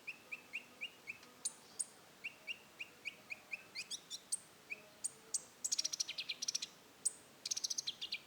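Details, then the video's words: Konin, the rufous-tailed shama, in roll tembak song: an even run of short mid-high whistled notes, then rising higher notes, then rapid bursts of very high rattling trills. "suara burung konin roll tembak"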